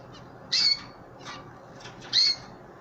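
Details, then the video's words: Pet canaries, an older bird with chicks, being hand fed; two loud, high, buzzy calls about one and a half seconds apart, with softer fainter notes in between over a quiet background. "Hand Feeding my Old and chicks Canary bird"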